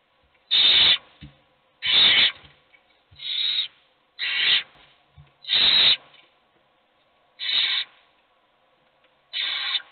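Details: Owl chicks, all hungry, beg as just one eats: a series of seven breathy, rasping hisses spaced one to two seconds apart, with faint low knocks between some calls.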